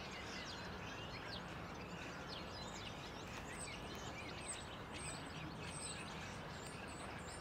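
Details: Common starlings in Tivoli landscape park, Ljubljana, on 13 March 2023 give a busy jumble of whistles, chirps and slurred notes without pause, over a steady background hum.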